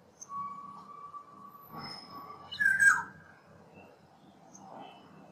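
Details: A wild Black-naped oriole sings a steady whistled note, then a brief fluty, slurred phrase near the middle, with faint background chirps and a low rumble.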